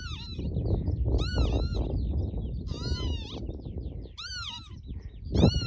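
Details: A mating pair of northern lapwings on Barden Moor near Skipton in June gives wheezy, slurred pee-wit calls in five quick bursts, rising then dipping, over a steady roar of wind.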